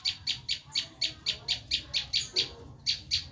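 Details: Bar-winged prinia giving its screaming call, a lure for wild prinias: a steady series of about thirteen harsh, high, rasping notes, roughly four per second, with a brief pause near the end.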